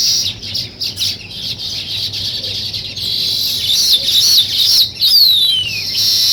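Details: Weaver birds building nests give steady high chatter broken by short gaps, then louder twitters and quick downward-sliding whistles near the end.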